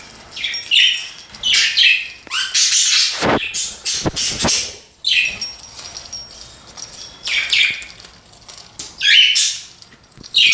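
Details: Indoor pet budgerigar calling in separate scratchy chirps and squawks spaced a second or two apart, with a faint thin high whine and a few sharp clicks or taps between calls.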